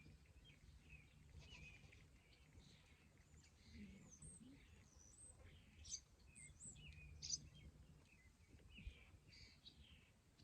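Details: Wild barn swallow fledglings, three young that have left the nest, calling to their parents on the third day of flight lessons. Short high chirps and twitters come scattered throughout, with some sharper upswept notes, over low rumbling background noise.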